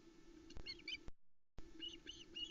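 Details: Ospreys at a nest in Loch Arkaig, Scotland, on 7 July 2020, evening, as a hungry family mobs the male arriving with a small trout: a few short arched chirps with a steady low hum and brief dropouts.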